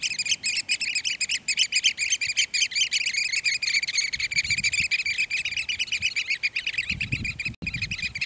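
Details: Several Eurasian oystercatchers in display at Port Carlisle, Bowness on Solway, Cumbria, give an urgent, rapid stream of high piercing piping calls, many birds overlapping, with some low rumbling background sound.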